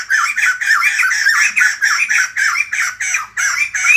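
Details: White-crested laughingthrush greeting the morning with a steady series of loud, grating, chuckling phrases, roughly two per second, each note harsh and slightly rising, in a quiet setting.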